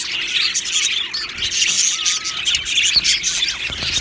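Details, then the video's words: Colony of Australian budgies in an aviary, described as happy, chirping together: a dense, continuous chatter of overlapping high twittering and warbling notes with no pauses. "Australian Budgie birds Chirping Sounds"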